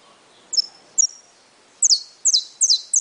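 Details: Saffron finch in brown plumage singing: two thin high whistled notes, then a run of sharp descending chirps repeated quickly and a little unevenly, with faint background noise.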